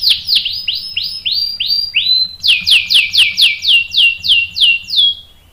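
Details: Canary singing as bait to make other canaries answer with rolls: a series of clear downward-slurred whistled notes, about three per second, shifting to a slightly higher, louder set midway.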